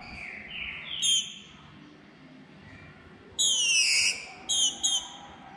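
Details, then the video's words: A female green-winged saltator, calling and soliciting mating, gives soft, slurred descending whistles, then a loud, rich downward call and two quick clipped notes, against a quiet background. "Fêmea de trinca ferro curruchiando e pedindo gala"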